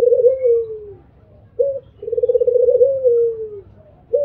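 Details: Mbekur cooing from an albino Barbary dove: a long rolling coo sinking at the end, a brief pause, a short clipped note, then another long vibrating coo that falls away, with a quiet background.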